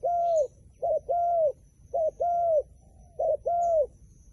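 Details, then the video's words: Wild pigeon repeating a short tremulous coo followed by a longer smooth one, three pairs in just over four seconds, with faint high chirps of other birds. "ប៉ះហើយលលកព្រៃបណ្ឌិត ធ្នាក់ធ្វើដាច់ខ្យល់"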